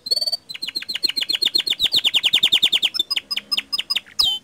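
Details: Gacor canary song meant to spur other canaries to sing: a long run of rapid downward-sweeping notes repeated about every tenth of a second, then sharp clicks and a final high whistled flourish.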